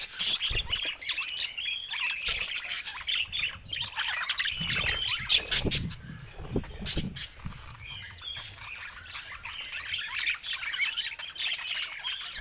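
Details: Pet budgerigars in a group, kept as happy pet birds, chattering continuously: dense overlapping warbles, squawks and short chirps, high-pitched and busy throughout, with a few louder clicks.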